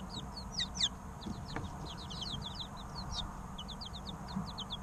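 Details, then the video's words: Baby chicken chirping recorded from three-week-old chicks, with many quick, piercing, downward-swept peeps tumbling one after another, a few louder ones near the start, and low hum underneath. "Chicks Chirping Sounds 2 - Baby Chicken Sounds Over 20 Minutes - Incubator Sound Helps Chicks Hatch"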